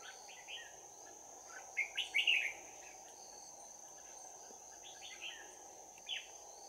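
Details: Red-whiskered bulbul at a trap on 11 January 2019, giving a bell-voiced close-combat fighting song: short warbled phrases of quick rising and falling notes, spaced unevenly over a steady high insect drone.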